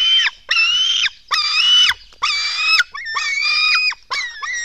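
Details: Nestling black storks begging during feeding at a nest in Latvia, 04:53 on 24 June 2016: shrill, nasal, harmonic squeals repeated about once a second, with a few brief rising and falling notes.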